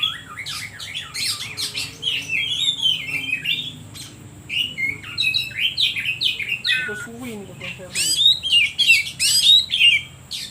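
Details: Oriental magpie-robin song used to provoke other birds: a long, rapid series of chirps, buzzy notes and whistled slurs, about three per second, with a lower warble midway and louder, sharper notes near the end.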